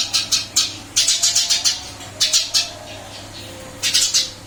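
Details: After a move to a new cage, a captive Eurasian tree sparrow keeps up its lively chirping: clipped, scratchy notes repeated quickly in short clusters separated by brief silences.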